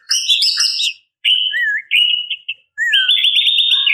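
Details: Female white-rumped shama calling males: a buzzy trilled burst, then clear whistled notes, one held steady and one wavering downward, ending in a long, rapid warbling trill.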